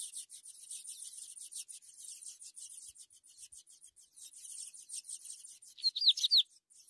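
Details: Begging Ultramarine grosbeak nestlings during feeding, giving fast, high, scratchy pulses about three a second, then a few louder, clear chirped notes near the end before a short silence.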